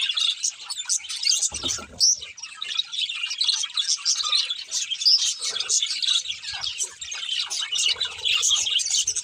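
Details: A pair of pet budgerigars chirping steadily: rapid scratchy warbling and clicking chatter, with bright squeaky notes throughout and a brief low thump near the two-second mark.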